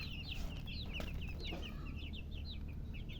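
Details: Thirsty baby chicks, colour chicks wanting water, peep rapidly in shrill arched chirps, several birds overlapping almost continuously above a low droning hum.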